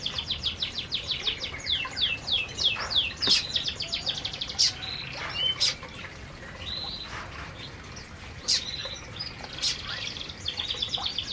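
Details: Several canaries eating together in an aviary; a busy chorus of high chirps and quick downslurred twitters, dense at first and thinning out later, with a few sharper single notes.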